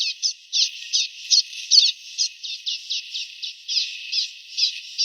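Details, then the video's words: Common waxbill singing, unedited recording without sound effects: a steady stream of short, buzzy, high chirps repeated about two to three times a second, slightly irregular, with no other sounds. "Som limpo do canto🎵 do Bico de Lacre"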